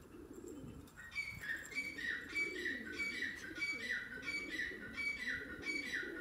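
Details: A female pet francolin (teetar/partridge) repeats short, sharp, high notes, roughly one or two each second, over a low rumbling background hum.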